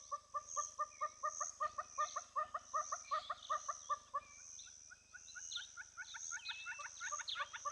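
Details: Female Giant Kingfisher at a lodge hide camera in the Olkirimatian Conservancy, South Rift Valley, southwest Kenya: a long, fast rattle of clipped, evenly spaced notes, about three per second, then scattered higher bird calls over a steady insect hiss.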